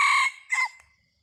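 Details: Red junglefowl decoy rooster used to lure wild junglefowl, recorded 30 October 2023: a loud, harsh crow cut short, a strong first burst, a brief dip, then a shorter strained second part fading out, with no background sound.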